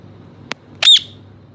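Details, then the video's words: Parrot giving a single loud, harsh squawk with a bright whistled core, preceded by a brief click, in a quiet room. "parrot talking |parrot sound |parrot |parrot voice"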